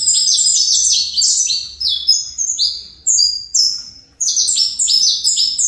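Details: Fibra-style song of a captive saffron finch: fast clusters of shrill, falling chirps separated by a few brief pauses, ending in a dense, continuous run.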